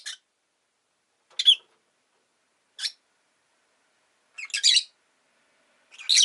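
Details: Rosy-faced lovebird kept as a pet, uttering brief high shrill chirps about every one and a half seconds, the later ones louder and more grating, with silence between.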